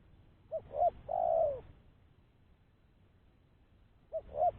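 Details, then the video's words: A full spotted dove lure phrase of two short coos and a long falling coo, then a long pause before the first two coos of the next phrase begin, clean and quiet. "Suara Burung Tekukur-Pancingan Suara Tekukur Bersih"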